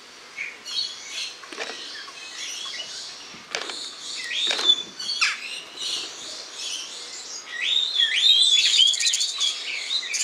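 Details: Spreo starlings filmed in August; a busy stream of chattering, squeaky notes and short chirps, swelling into a denser, shrill twittering run toward the end.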